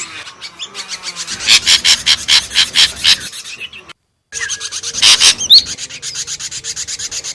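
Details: Noisy ashy drongo calls for luring: rapid, grating, rasping pulses in bursts, a brief silent gap, then more harsh rattling with a short whistled note.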